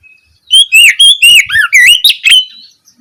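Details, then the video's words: An Oriental magpie-robin sings in the ngeplong style in the evening, used as a lure to make other magpie-robins answer. A loud, rapid series of bright, varied whistles slurs up and down, about eight notes in two seconds. "Pancingan suara Kacer ngeplong sore hari untuk merangsang Kacer supaya lekas nyaut bunyi"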